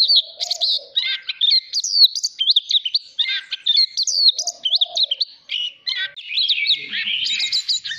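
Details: Oriental magpie-robin (chòe than) song used to train a young bird's voice: a rapid, varied stream of sweet whistles, slurred rising and falling notes and short chatters, with soft lower warbling phrases underneath.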